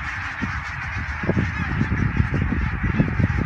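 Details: Huge flocks of greylag geese, thousands strong, crossing the Elbe dike near Wedel, Hamburg, Germany, 12 April 2020, captured on a phone; many honking voices overlap into a continuous clamour over heavy low wind rumble.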